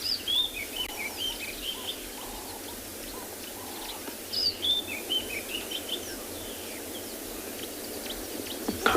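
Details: Sabota lark (Calendulauda sabota) giving two bursts of bright, quick chirping notes a few seconds apart from cover in front of the vehicle, during a sunrise safari on 5 January 2021 near Djuma Private Game Reserve, South Africa; steady low hiss.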